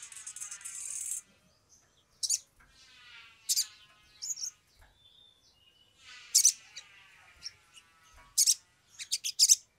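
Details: Sumatran leafbird, fired up and singing, used as a lure for other birds: a buzzy burst opens, followed by scattered loud high chips, short warbles and raspy chattering, spaced by pauses of a second or two.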